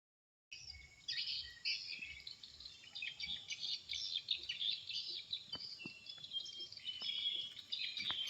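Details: Morning chorus of many birds, a dense overlapping mix of high, thin chirps and twittering trills with scattered sharp clicks, fairly distant and quiet throughout.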